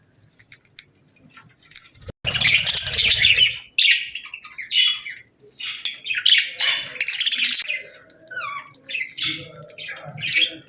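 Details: Parakeet chirping: after a quiet start, a loud scratchy burst, then separate bouts of warbling chatter and short rising whistled notes with brief pauses between, in a fairly quiet setting.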